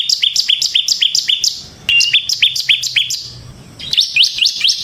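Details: Bar-winged prinia of the semi type, singing vigorously in ngebren style: rapid series of sharp, upward-flicking chirps repeated about four per second, in bursts separated by short pauses, with a faint low hum beneath.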